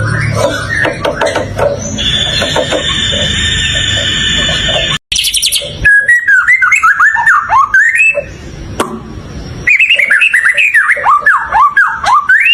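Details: White-rumped shama singing a varied run of clear whistled phrases, short looping notes early, then rapid rising and falling slurs after a brief gap, over a steady high tone and a low hum.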